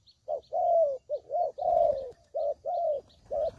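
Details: Spotted dove lure call for trapping: quick alternation of short and longer mellow coos, low and slightly descending, with faint thin chirps overhead.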